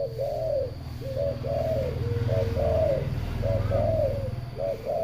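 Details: Local zebra dove (perkutut lokal), kept together with spotted doves: a run of soft, rolling cooing phrases, each of a few quick notes, repeated back to back over a loud low rumbling hum.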